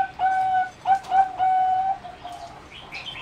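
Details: Singing zebra dove, a bred line selected from a wild mutation for song competitions, kept in a flight cage and recorded 30 April 2014: loud, clear, steady cooing notes repeated several times, followed by softer higher chirps.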